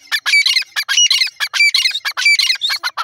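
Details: Grey francolin (dakhni teetar) in a fast, continuous chatter of loud, harsh, shrill notes, repeated several times a second in rough bursts with barely a pause.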